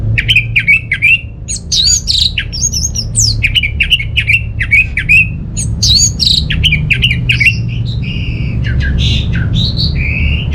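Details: Kept orange-headed thrush from Singaraja, North Bali, singing loudly and nonstop as a lure for home birds that are not singing: fast varied phrases of scratchy chirps, short whistles and slurred notes, repeated and mixed throughout over a low indoor rumble.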